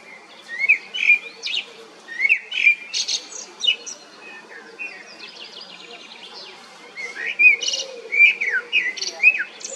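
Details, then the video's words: Common blackbird singing: mellow fluted warbled phrases, each ending in a thin squeaky twitter, in two bursts separated by a quieter pause, with a steady low hum underneath. "Fekete rigó /Turdus merula"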